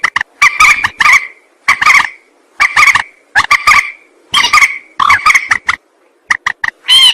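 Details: Rail calls played as a trapping lure. Grating, honking notes come in tight clusters of two or three, repeated roughly every second. Near the end come short sharp clicks and a brighter squeal.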